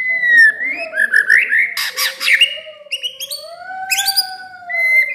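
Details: Caged white-rumped shama kept at home, never competed, delivers quick whistled slurred notes, a harsh buzzy burst, then long smooth rising and falling whistles with another bird whistling lower beneath.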